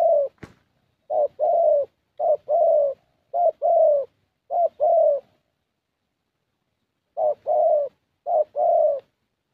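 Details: Young thổ Spotted Dove in Gia Lai, Vietnam, calling at a decoy session: seven low paired coos, a short note leading into a longer one, with a long pause midway and a click at the start.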